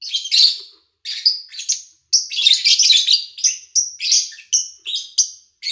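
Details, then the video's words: Pet lovebirds recorded in August 2019 in a quiet setting: loud, piercing high chirps and squeaky twitters in quick sequences, some notes sharply clipped, with brief pauses between phrases. "Sounds of Lovebird Chirping"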